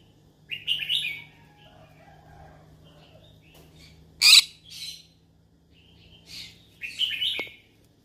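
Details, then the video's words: A yellow-sided conure calls out for company with a raspy chirp, a loud sharp squawk at mid-point, and later a burst of grating chatter, over a faint steady low hum. "Yellow sided conure sounds : I'm looking for friends to talk to"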